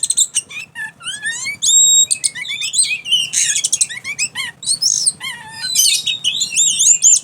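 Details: Oriental magpie-robin in a covered cage, uncovered and abruptly giving odd sounds: dense bursts of shrill whistles, harsh rasping notes and rising slurred phrases that tumble together quickly.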